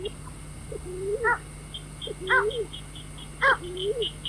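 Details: White-breasted waterhen calling, a recording used to lure birds at night for trapping: low rising-falling croaks each followed by a harsh stacked note, roughly once a second, with thin high chirps in the background and steady hum.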